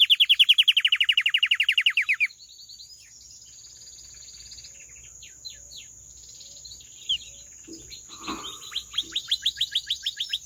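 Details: Canary song: a loud rapid trill of repeated notes for about two seconds, then softer scattered chirps and short phrases, closing with another quick trill; a steady thin high whine runs throughout.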